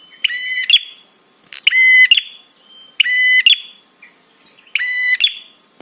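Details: Prinia call meant to provoke other birds into answering and arousal: four harsh, buzzy half-second notes with a rattling, ticking overtone, spaced irregularly about every 1.5 seconds, with short clicks between.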